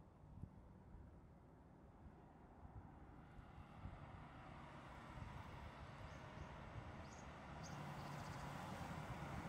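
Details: Distant traffic rumbles on continuously, slowly growing louder, with no animal calls heard.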